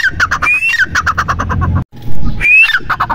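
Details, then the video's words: Grey francolin (teetar) calling: two rising whistled notes, each trailed by choppy, harsh clucks, with low rumbling background noise and a short silent gap between them. "Teetar | Titer | Teetar ki awaaz | teetar ki Awaaz Madi | teetar ki awaz | Partridge sound"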